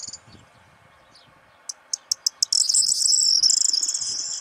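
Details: Corn bunting singing near a hide during the breeding season, roused by a nearby female: sparse clicks, then four ticks about a third of a second apart, then a sustained high, glassy jingling rattle.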